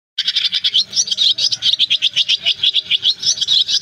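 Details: Swiftlets, described as black and white-bellied, calling a flock to roost, recorded as a lure for net trapping in August: dense, rapid high chirps and twittering, pulsing several times per second without pause, with faint low hum beneath.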